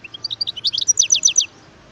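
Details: Wild European goldfinch with a brisk phrase of rising and falling high twitters that speeds up into a dense chattering trill before stopping.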